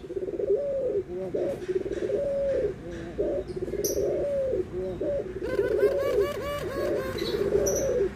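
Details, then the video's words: Barbary doves, white and brown, giving almost continuous anggungan cooing, low wavering rolled notes running together, while another bird adds quick repeated looping chirps in the second half. "PERBEDAAN SUARA ANGGUNGAN BURUNG PUTER PUTIH DENGAN PUTER COKLAT"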